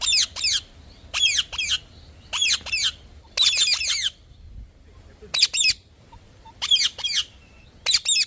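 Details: Parrot repeating raspy paired squawks at a steady pace, with one longer cluster of three notes midway, low background murmur.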